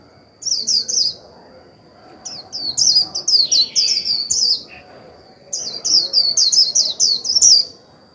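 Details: Japanese white-eye used as a decoy, its 'líu' song aimed at stimulating other birds: three lively phrases of rapid, high, descending chirps, each a second or more long, separated by short silences.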